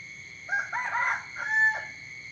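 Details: A rooster crows in the morning, a raspy call of several joined syllables followed by a separate held note and a short drop, against a continuous high-pitched insect drone.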